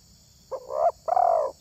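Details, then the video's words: Spotted dove whose voice is praised as exceptional by hobbyists who lure wild doves: a single two-part coo, a brief note sliding into a longer mellow hollow one, over a faint steady high hum. "SUARA TERKUKUR INI SANGAT ISTIMEWA"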